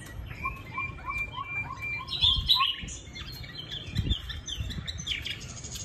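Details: Song of a caged Chinese hwamei from Định Công, Hanoi: a row of short low whistled notes, a bright squeaky flourish, then scattered high chirps, with low thumps and background noise.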